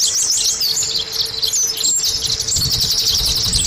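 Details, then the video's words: Short stretch of Oriental white-eye lure song for prompting caged birds: busy, high, sweet twittering without break, accompanied by a faint hum and some low rumbling noise. "Terapi Pancingan Pleci Supaya Cepat Bunyi"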